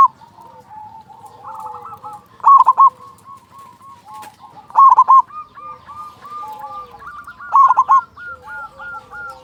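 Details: Loud local zebra dove cooing to lure caged doves into song, three bright bubbling bursts set among rolling coo trills from several doves singing together.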